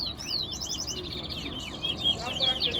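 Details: In a towa towa bird-singing competition at Guyana National Stadium, a chestnut-bellied seed-finch pours out a fast, high, sweet warble of slurred whistles and trills without pause, with its notes being counted, over a low murmur of crowd noise.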